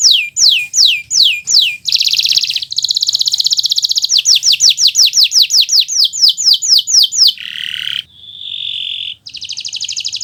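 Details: Kenari Nusantara canary singing in 'gacor' style, a recording for tutoring young birds: descending whistled sweeps alternate with dense buzzy trills, a short harsh chattering note and a steady high tone, delivered loudly and continuously.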